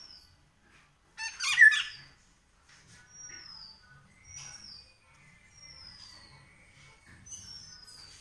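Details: An Indian golden oriole, called Haladi Basant, gives a single strong mellow whistled phrase early on. Several thin, high-pitched falling notes from other birds follow through the rest of the recording.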